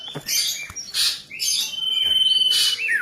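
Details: A juvenile ashy drongo imitating a common iora gives harsh, noisy bursts mixed with a long, level, slightly trilled whistle and a closing downward slur.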